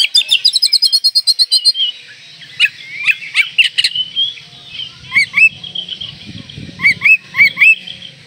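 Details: Oriental magpie-robin singing while in breeding condition to stir up rivals: a quick run of even, rapid notes, then looping whistles, sharp upslurred chips and warbles, with a low hum in the background.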